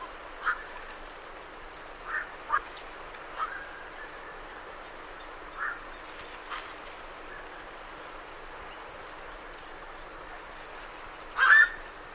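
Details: Birds leaving a night heron roost call with a loose series of brief, rough croaks spread over twelve seconds, ending with a louder, longer double squawk near the close.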